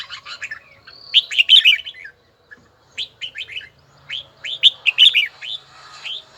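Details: Red-whiskered bulbul practising its voice in a bell-like tone: bursts of short, bright whistled notes sliding up and down, grouped in quick phrases with brief pauses between, the middle gap nearly silent.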